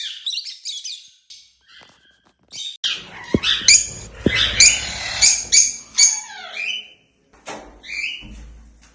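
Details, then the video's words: Several happy African lovebirds flying freely, a busy mix of shrill chattering, squeaks and sharp clicks crowding together, with a few sudden loud snaps and brief pauses. "Happy lovebirds making sounds || Lovebird sounds to attract birds"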